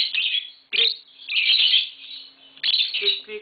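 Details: Kept green Fischer's lovebirds, a mating pair with young nearby, give bursts of sharp, piercing chirps and squeaky twitters in three loud runs with brief pauses between them.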